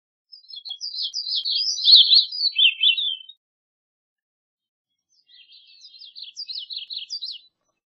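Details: Two song phrases from a Gray-cheeked thrush about two seconds apart. The first is louder, a wavering, thin cascade sliding downward. The second is softer and choppier, with notes that jump upward near its end.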